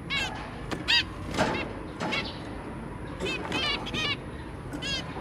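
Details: Family of zebra finches, two adults and three babies, recorded 23 January 2022: scattered short trumpet-like beeps, some doubled, mixed with softer chatter over steady low background noise.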